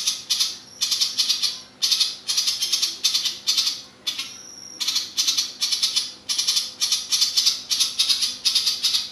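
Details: Ciblek papua, kept as a master song for training competition birds, delivering long-lasting rattling 'ngebren' bursts: harsh, buzzy, high-pitched rasps in rapid pulsed volleys of about half a second, repeated almost without pause with brief gaps between bursts.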